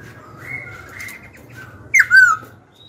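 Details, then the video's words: Young pet Black-throated laughingthrush singing to provoke wild-caught rivals and train young birds: after faint quiet notes, one loud short burst of slurred whistles, falling then level, near the end. "KHiếu tơ hót dìu bổi cực hay. Khiếu hót hay kích bổi đấu, luyện giọng bổi, chim non."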